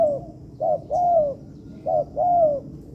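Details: Spotted dove kept for training in a man-made yard, cooing in short-long pairs: a quick soft hoot followed by a longer, smoothly falling coo, given twice with a low rumbling background.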